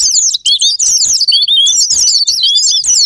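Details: Japanese white-eye (pleci) lure song to provoke singing: hurried, bright twittering with a few longer clear whistled slurs woven through the high-pitched chatter.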